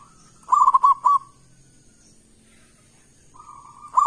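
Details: Loud local zebra dove used as a lure to get other doves singing gives one burst of quick, stuttering coos ending in a rolled note, then a long, soft, level coo before the next phrase begins.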